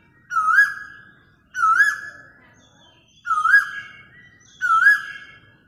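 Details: An Asian koel, recorded on a mobile phone, gives four loud, clear, rising two-part whistles, 'ko-EL', about one every second and a half, with faint background hum.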